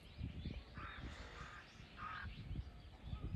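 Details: Crows mobbing a hawk, three birds, 21 October 2023; broad, rough caws at about one and two seconds among thumping low-frequency knocks and background noise.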